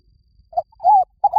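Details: Spotted dove lure call: a short fragment with a brief low coo, a pause, then a longer arched coo and the start of a third note. The notes are mellow and low-pitched, in near silence.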